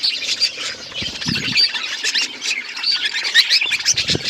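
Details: Seed-eating budgerigars give bright, piercing chirps and short whistled squeaks over a constant chattering background, with occasional low knocks from feeding.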